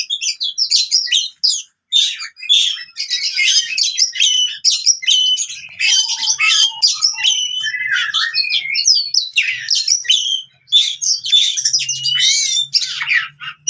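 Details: Long, energetic fighting song of an oriental magpie-robin, used to train birds that have gone quiet. A rapid stream of clipped chips, whistled slurs and harsh trills with hardly a break, and a low hum near the end.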